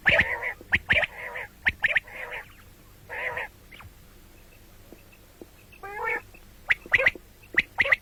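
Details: Common quail calling in the morning and night: clusters of sharp clipped notes mixed with broad, harsh, buzzy bursts and a short rising stuttered phrase near the end.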